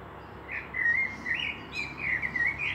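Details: Blackbird song recorded in Meschede, 18 May 2021, with a fieldfare pair nearby: rich flowing whistled phrases with rising and falling slurs, building into a longer warbling run toward the end over soft low hum.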